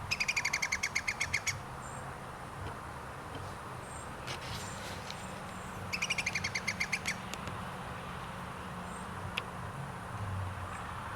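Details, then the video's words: Iberian green woodpecker (Picus sharpei) recorded 2 July 2022 at Zamudio, Txorierri, gives two bursts of calling, each a quick series of about a dozen ringing notes over a second and a half, against low hum. "Green woodpecker chirping"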